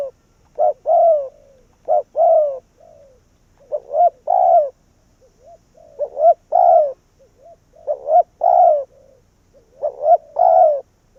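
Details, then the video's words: A decoy spotted dove luring wild doves coos in a run of five or six phrases. Each is a double hoot leading into a sliding, mellow croo, with soft trailing notes between them. "Cu Gáy Việt Rút Bổi Về Chung Tàn | suara burung tekukur"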